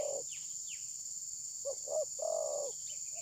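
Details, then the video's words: Spotted dove, a trapping decoy, recorded by phone. A tail-end coo, then one full phrase of two short notes and a long, even coo, with faint higher chirps and a steady hiss. "Mikat terkukur || pikat tidak mau mukul"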